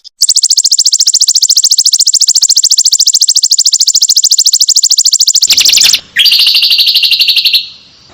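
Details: Prinia (perenjak or kecingkur) in a combination recording for tutoring songbirds: a long, relentless high trill of fast pulses, broken near the end by a harsh burst, then a lower-pitched trill that stops.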